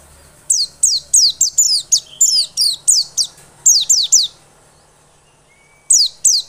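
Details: White-eye song serving as a lure to stimulate energetic singing: a fast series of high, down-slurred whistled notes, with a few curling notes mixed in, a pause of about one and a half seconds, then two more notes.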